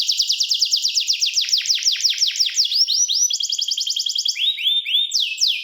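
A canary sings bright, high tours of rapidly repeated notes: quick downslurred chips, then rising whistles and a fast trill, each phrase shifting every second or so.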